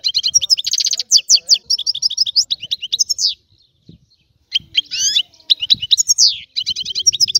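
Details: Bright, chattering song of a European goldfinch in several bursts of twittering trills, with brief pauses and soft low thumps in the background.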